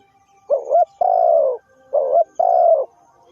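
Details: Two phrases from a spotted dove, each a short bouncy coo and then a longer, even, slightly descending coo, delivered close and clear with little background noise.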